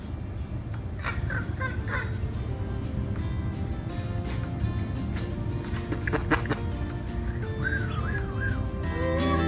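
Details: Peacocks at Mayfield-Gutsch House, Austin, Texas, on Thanksgiving Day 2015, give short wavering honks, a few at the start and a rising, quavering series near the end, over steady low traffic and wind rumble.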